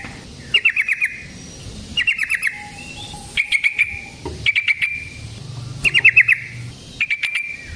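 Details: Yellow-vented bulbul delivering ngekek-style rattling song meant to provoke rivals and draw them to a trap: six short bursts of fast clicking notes, each under a second, roughly every one and a half seconds, with soft whistles between.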